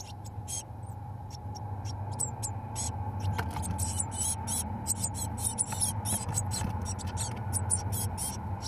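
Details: Eurasian blue tit chicks, 17 days old, in a nest box being fed mealworms by both parents; very high, hissy begging bursts come in rapid irregular flurries over a steady low hum.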